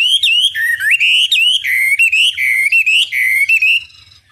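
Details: Chinese hwamei training song used to make other birds answer: a continuous, loud, wavering whistle that climbs and dips in long, smooth phrases, then stops.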